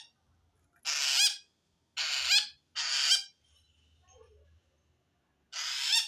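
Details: Long-tailed shrike giving threatened calls toward wild shrikes: four loud harsh grating screeches, each under a second, in an uneven series with gaps, plus faint low background hum.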